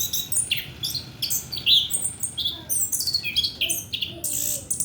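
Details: Orange-headed thrush singing a dense, chattering medley of rapid high chirps, clicks and brief whistles throughout, intended as a lure for young males not yet trained.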